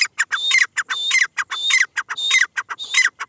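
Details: Female grey francolin calling: loud harsh notes in a rapid, fairly regular series of about 100 per minute, with short clicks between longer rasping phrases that end in a brief whistled tone.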